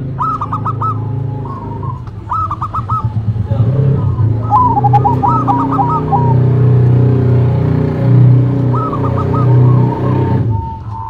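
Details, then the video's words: Local and cemani zebra doves sing in duet, repeating bursts of rapid stuttered coos every couple of seconds with a drawn-out tail, set against a loud low droning background. "Duet Perkutut irama, Lokal Vs Cemani"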